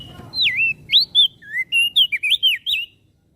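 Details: Energetic song of a Javan grey-throated white-eye, a voice said to set other birds singing: a rapid string of around ten clear, curving whistles, each swooping up or down, delivered without pause over three seconds.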